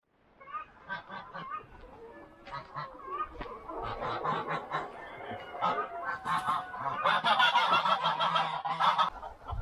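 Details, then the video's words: A goose guarding eggs in a storeroom nest gives strange, harsh, nasal honks and rasping calls in rapid irregular bursts, growing louder toward the end, with a few other free-range fowl calling. "거위가 알을 품을 때 내는 신기한/무서운 소리"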